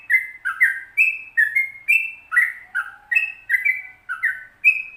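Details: Sooty-headed bulbul delivering a long rolling training song: clear fluty whistled phrases alternating higher and lower pitches at a brisk pace, with a faint low drawn-out tone partway through.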